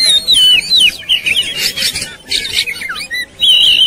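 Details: Agitated Oriental magpie-robin set on fighting, spreading its tail: clean wavering whistled phrases alternate with loud broadband rasping bursts, ending in a sustained, wobbling high whistle.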